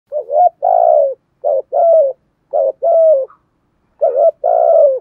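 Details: Spotted dove decoy calling in the thổ bầu voice style with a continuous 'thúc gù' coo meant to provoke wild rivals: four low hooting two-part phrases, a short note then a longer drawn coo, spaced about a second apart, no other sounds.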